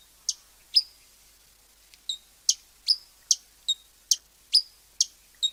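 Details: Hummingbird calling with a quick series of thin, high, piercing chips, about two each second with a slightly irregular rhythm, in an otherwise quiet setting.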